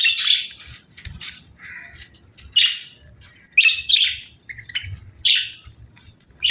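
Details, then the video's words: Chirping from a budgerigar pair in breeding season, harsh raspy squawks and chirps roughly once a second, interspersed with softer warbled notes and a quiet low hum underneath. "Budgie Pair Chirping Sounds"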